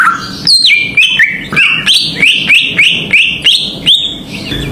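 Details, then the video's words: Greater green leafbird song used as a lure to provoke other birds: a run of loud whistled notes, each dropping sharply from high to lower pitch, repeated roughly every third of a second. "PANCINGAN CUCAK IJO ‼️ AWAS NGAMUK BIAR GA BISUU"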